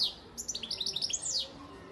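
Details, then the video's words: Father European goldfinch from Antalya, Turkey, 2018: a quick run of bright, high, twittering notes that rise and fall, packed closely together in under two seconds. "Saka kuşu ötüm"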